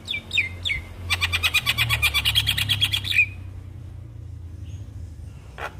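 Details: Black-collared starling song meant to make other starlings sing: a few downslurred whistles, then a fast, regular rattling series of about twenty harsh notes, followed by near quiet with a low hum.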